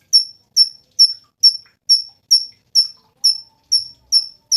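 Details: Cungkok used as master song for training songbirds, repeating one sharp, very high, quickly falling whistled note about every half second, very regular, eleven times against a silent background.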